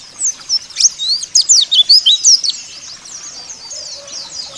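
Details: White-eye song played to coax caged white-eyes into singing: a quick burst of high, slurred twittering notes over two seconds, then a faint, softer warble trailing off.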